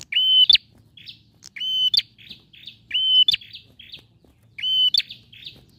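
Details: Male bar-winged prinia in full voice, intended to stimulate a silent bird to sing: a rapid series of piercing whistled notes, each ending in a sharp click and a softer buzzy tail, repeated about every 1.4 seconds.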